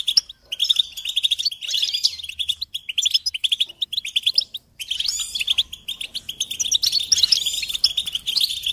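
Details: Goldfinches singing, recorded for teaching young songbirds: quick tinkling twitters and rapid repeated chirps in bursts, a short gap near the middle, then renewed lively chattering trills.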